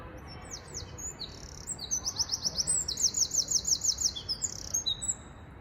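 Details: Eurasian wren (Troglodytes troglodytes) singing loudly at half past midnight at Potter's Fields near Tower Bridge, London: a rapid song of high, sharp notes and a fast trill, about five seconds long, over a low hum of city noise.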